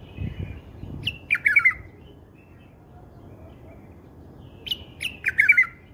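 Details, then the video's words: A bulbul sings in a song style prized by bulbul keepers. Two bright, gurgling phrases, each opening with a sharp note, are separated by about three seconds of soft background noise. "هاي أللغه يعشقه كل مربين البلابل"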